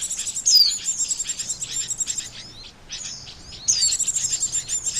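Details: Oriental white-eye lure for trapping: two bursts of rapid high chirping, each beginning with a bright descending whistle, separated by a short quiet gap.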